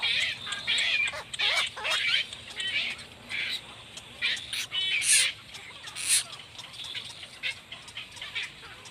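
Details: Blackbird adults and chicks at the nest: bursts of harsh, high, scratchy calling come in irregular clusters, louder at first then fading into shorter squeaky bits, with gaps of quiet background in between.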